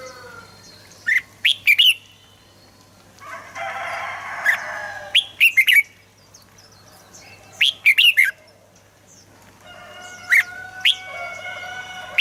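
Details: Red-whiskered bulbul singing, for prompting birds: bright chirpy bursts of several quick notes every couple of seconds, between patches of buzzy chatter and faint whistled tones.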